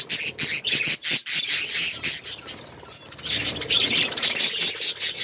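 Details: Hand-tame pet budgerigars chirping: dense bursts of harsh, squawky chatter and high chirps, with a brief quieter pause before the chattering resumes.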